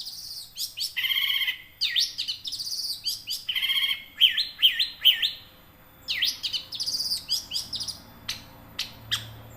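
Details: Young long-tailed shrike from the forest singing, used to make caged birds sing; varied jumble of harsh chatters, whistles and mimicked-sounding phrases delivered quickly, ending with scattered clicks.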